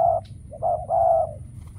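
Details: Spotted dove used as a decoy during trapping, calling: two short low coos then a longer steady hooting coo, mellow and throaty, with a faint steady hum underneath.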